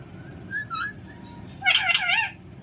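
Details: Pet Alexandrine parakeet making a soft whistled note followed by a loud, raspy, warbling squawk lasting about half a second in a quiet room.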